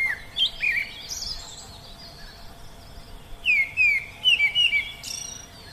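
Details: Oriental magpie-robin singing in the wild: clear whistled phrases of sliding, rising and falling notes in short bursts, with a faint high steady hum and thin chirps behind.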